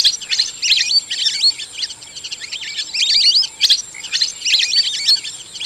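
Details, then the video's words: Lesser whistling duck calling: quick bursts of thin, twittering whistles, each note sweeping up and down, coming in clusters about every half second to second, over a steady high-pitched whine in the background. "Tiếng chim Le Le | The sound of the Teal(Mallard)"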